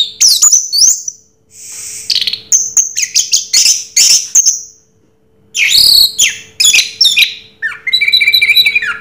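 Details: Orange-headed thrush delivering a varied Raja Teler song: sharp high chirps, slurred whistles and buzzy notes in two long flurries, split by a short pause.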